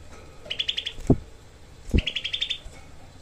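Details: Cucak kelabu, the Grey-cheeked bulbul, used as a tutor for training songbirds: two quick, harsh 'tembakan' trills of tightly packed rasping notes, each set off by a loud knock.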